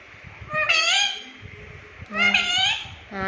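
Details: Pet parrot talking, taught to say "mummy"; two clear harmonic voice-like calls about a second apart, each rising then steady, with a third starting at the end, over faint low background noise.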